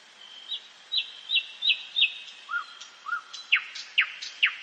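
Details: Nightingale singing in a forest at night, a phrase of five evenly spaced chip notes roughly every third of a second, two low slurred whistles, then loud repeated downslurred notes.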